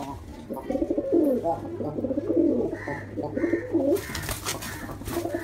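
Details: Angry pigeon in a fighting mood, slapping at a man: a jumble of low, throaty, rolling coos, with a few higher short notes, giving way to scuffling and rustling noise in the last seconds.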